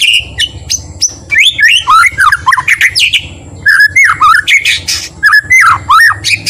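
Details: Murai batu (white-rumped shama) in a calm, gentle song used to stir other shamas into lively, agitated singing; varied loud whistled phrases with sharp upslurs and downslurs, delivered in quick bursts separated by short pauses, over a faint low hum.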